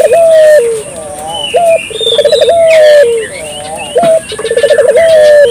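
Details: A vigorously calling dove, meant to stir local doves into calling. It repeats low phrases: a long steady coo falling at its end, a brief higher note, then a fast pulsing trill. Other small birds twitter in the background.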